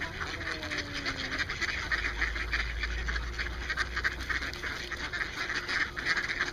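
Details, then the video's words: A flock of hungry mallards at Maidenbower pond chatters in a steady stream of rough, nasal quacks and gabbling notes, several per second, over a low background rumble. "Mallard Ducks"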